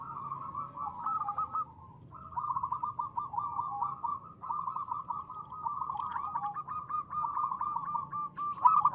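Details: Local zebra dove in crisp ngristal voice, a lure recording: near-continuous rolling trills of quick cooing notes, broken by one short gap, with overlapping phrases suggesting more than one bird.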